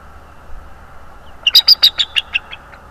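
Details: Bald eagle calling at its nest in North East Florida on 25 January 2022, captured by a nest cam: a quick series of about eight high, thin, staccato piping notes that slow and fade toward the end, with a low background hum.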